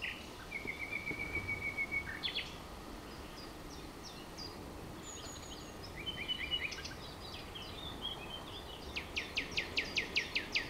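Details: Birds singing in spring, 30 April 2011, in a grove behind an ecological garden in Romania: a steady whistled note, scattered high chirps and short trills, then a rapid series of sharp repeated notes near the end.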